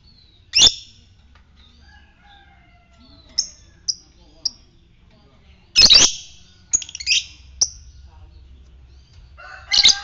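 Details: Lovebird of fighter type uttering ngetik chirps as a lure for ngekek; loud harsh shrieks separated by several seconds, with short thin high chirps between them.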